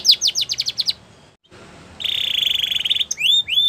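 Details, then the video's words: Belgian canary singing rapid falling notes, a short pause, then a long buzzy trill and two rising whistled slurs. "Belgian Canary Song"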